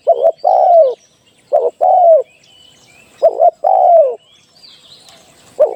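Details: Decoy call of a spotted dove used in trapping: repeated two-part coos, a brief stammered note then a mellow falling hoot, about three phrases in six seconds, light background bird chatter.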